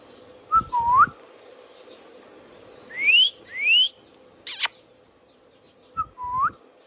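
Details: Indian ringneck parakeet giving clear whistled notes: a short upslurred whistle, then two long rising sweeps in quick succession, a sharp brief screech, and another upslurred whistle near the end, over a steady low background hum.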